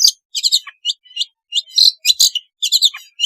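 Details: Sound of a long-tailed shrike, meant to coax lazy shrikes into singing: rapid, dense high twittering phrases with buzzy chirps and short falling whistles, packed close together.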